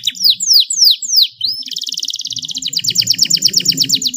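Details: Actively singing canary with long rolls, rich melodic turns and a clear tone, used to prompt lazy canaries to sing. Four separate high down-slurred whistles give way to a long rapid rolling trill of repeated falling notes.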